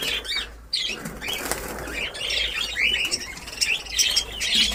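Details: Budgerigars at the start of breeding in a new colony in Darbhanga, Bihar, India, chattering together in quick high twittering notes and squeaks, with a brief pause and wing flapping.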